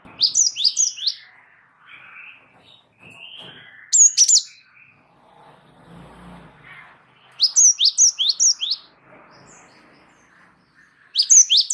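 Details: Java sparrow singing without pause to prompt other birds: repeated rattling series of sharp, falling chirps, with softer twittering notes and a low murmur in between.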